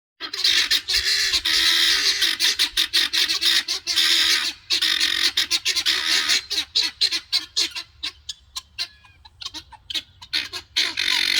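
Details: Several guineafowl foraging for food in a yard, calling loudly: harsh, grating chatter pours out nearly nonstop for the first half, then breaks into rapid ragged bursts with short pauses between them.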